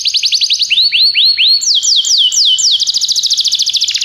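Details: Belgian canary singing for training: quick trill, a few upswept rising notes, a run of slower descending slides, then a rapid rolling trill of fast repeated notes.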